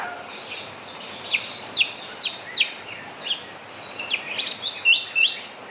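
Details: Javan myna singing with an imitation of a crowing rooster in its song: loud, sharp whistled notes that sweep steeply downward, given in quick irregular bursts with short high chattering between them.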